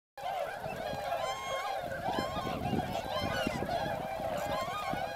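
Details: A large wintering flock of swans at Motono, now Inzai, in Chiba, Japan, seen there October to February among rice fields with many northern pintails; dense overlapping nasal honking calls from many birds at once, with steady crowd noise.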